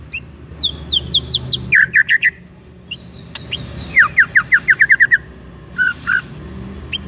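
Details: White-rumped shama song played to provoke another shama to sing, mixing high descending note series, a fast run of repeated chipping notes, clicks and two short whistles, over a low droning background.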